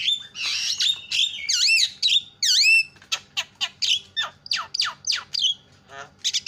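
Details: Javan myna singing a loud, varied song: harsh rasping notes, then rising and falling whistled slurs, followed by a run of sharp, clicking downward strokes repeated about once a second.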